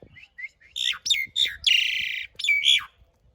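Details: Asian pied starling giving rough-filling, long-roll song for training caged birds: soft notes building into loud harsh buzzy rolls and a sustained rasping stretch, ending in a whistled upslur.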